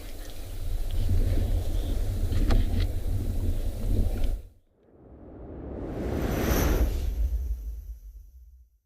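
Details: Two swells of low roaring wind-like rumble, separated by a brief drop to quiet, carry no animal calls.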